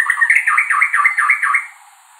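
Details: White-rumped shama sings a quick run of about seven rich, dipping whistled notes in a second and a half, then falls silent; faint high hiss behind.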